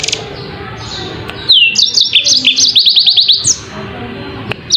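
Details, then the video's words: After a quiet start, a yellow-fronted canary bursts into song: a few slurred whistles, then a rapid string of evenly repeated high notes, ending with a single chirp. "kicau burung MOZAMBIK super jernih"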